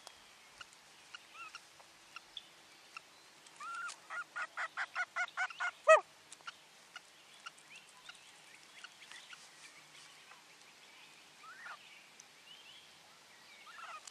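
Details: Common loon mother on a lake nest platform, alerting while her second chick hatches beneath her, 9 July 2023: about ten rapid pulsed notes build steadily in loudness to a sharp peak, followed by faint scattered calls.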